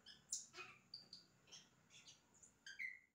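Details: Yellow-rumped cacique song imitating other sounds, a quiet string of short whistled notes, clicks and a rough burst, ending on a bright falling whistle.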